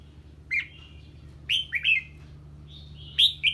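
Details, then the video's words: Red-whiskered bulbul reacting to a strange bird's voice, giving a few loud clear whistled notes, some rising then falling, spaced about a second apart with quiet gaps. "Chào Mào Hót Ché Khi Nghe Tiếng Chim Lạ"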